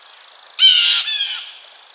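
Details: Blue jay uttering a single loud, harsh, squealing call that fades into a softer trailing note.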